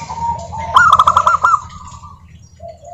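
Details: Local zebra dove song used as a lure for other doves: one loud, quick run of rolling trilled coos, with softer doves cooing behind it.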